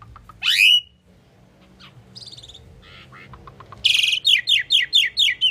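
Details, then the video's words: Pied myna song mixing a sweeping whistle, a scratchy buzz and clicky notes, then a loud rapid series of six or seven descending chirps delivered about twice a second. "Common pied myna bird song /Indian maina sound /mynah singing"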